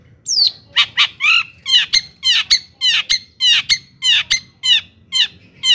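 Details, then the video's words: Long-tailed shrike song for luring other shrikes into singing: a steady run of harsh, scratchy downslurred notes, nearly two per second, each with a ringing high overtone. "kicau cendet gacor JITU di cari BUAT PANCINGAN CENDET AGAR EMOSI DAN GACOR"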